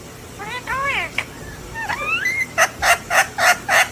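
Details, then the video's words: Pet parrot showing off its new plushie: a few rising, whistled notes, then five harsh, repeated calls coming roughly every third of a second. "beautiful parrot beautiful voice"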